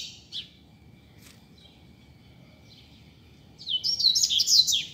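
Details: Street-singing loose double-collared seedeater used as a tutor: a couple of isolated high chirps and a thin whistle line, then a loud rapid burst of jumbled high notes at the end, over low background noise.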